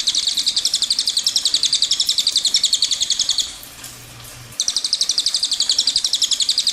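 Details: Cililin delivering its long rolling song, a fast, evenly pulsed series of high, bright notes. A run of over three seconds pauses about a second, then another long run follows.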